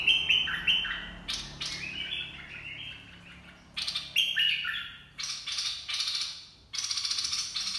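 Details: Red-whiskered bulbul with a dok taeng song for teaching chicks and luring: ringing whistled phrases at the start, a fainter spell, then several loud bursts of rapid notes later on, with a faint low drone.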